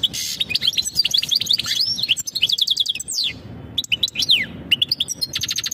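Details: Mating calls of a European goldfinch, sung to prepare the female for breeding: a rapid jumble of bright chirps and slurred notes, one long downward-sliding note near the middle, then clipped trills after a brief hush.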